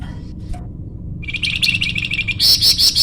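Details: Flamboyan bird in full energetic voice, used to lure or train birds: a soft note, then a loud fast stream of piercing high twittering notes that grows denser and stronger.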